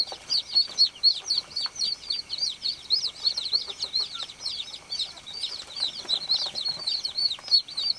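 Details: Several baby chicks chirp nonstop, a dense stream of shrill, down-curving peeps, about four each second, overlapping irregularly with brief soft rustles.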